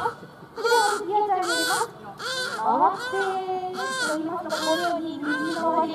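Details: At a bird show at Kakegawa Kachoen, Japan, a Striated caracara calls as it runs around: loud, rasping, arched cries in irregular bursts with brief pauses, and a lower wavering tone and some background voices mixed in.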